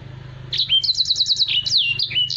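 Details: A brief burst from a Black-throated canary, a tutor song for other birds: a rising note, a rapid series of six repeated high chips, then sweeping whistles, above a low background hum.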